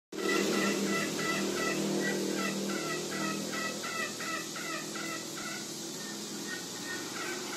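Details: Green junglefowl from Lombok giving its 'ngekek' call: a steady series of short, harsh, paired notes, about three each second, over loud broadband background noise.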